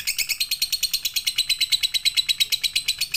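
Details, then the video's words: Lovebird in the full pigter song style, used as a training recording for the night. A continuous, evenly paced stream of shrill, buzzy chirps runs throughout, about three per second, with a thin whistled tone threading through. "MASTERAN SUARA BURUNG LOVEBIRD COCOK UNTUK MALAM HARI FULL PIGTER"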